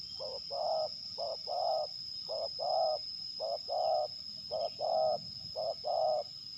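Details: Spotted dove used as a lure bird in a fight test near Liwa, West Lampung, Indonesia, by a bird-luring community: six paired coos, a short note then a longer rolling one, repeating about once a second over faint insect hum.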